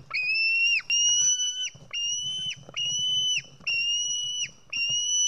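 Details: A White-tailed eagle nestling screaming insistently during a fish feeding at its nest in Estonia, July 2018: an almost unbroken chain of long, steady, high whistles with very short breaks between them.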